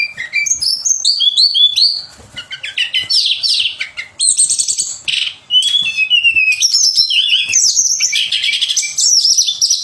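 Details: Pied fantail song, sweet chattering birdsong used as master material for contest birds: a dense, varied run of high whistles, slurred notes and rapid chirps, nearly continuous with brief pauses.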